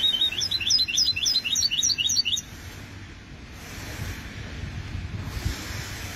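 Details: Goldfinch hybrid singing in 2020: about two seconds of quick, high, tinkling repeated notes delivered in a lively stream, then quiet with only faint background hiss and low hum.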